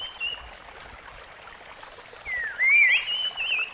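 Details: In the wild, a rusty-fronted barwing breaks a quiet stretch with a rising then undulating whistled phrase near the end, set against constant running-water noise.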